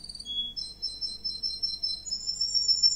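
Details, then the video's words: A male Russian wild green canary gives its song: high, thin rolling trills, each held on one pitch before jumping to another, climbing higher near the end over a faint low hum. Yellow-fronted canary. "Green Canary perfect song"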